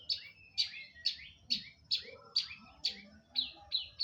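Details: Cendet, the long-tailed shrike, in full song: sharp high notes, each falling quickly in pitch, delivered in a brisk series about twice a second, with soft low rumbles behind.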